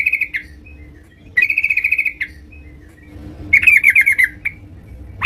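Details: Yellow-vented bulbul kept at home, singing energetically: warbled trilling phrases about a second long, separated by pauses, the last more jumbled and bubbly, ending on a rising note, with a low hum in the background.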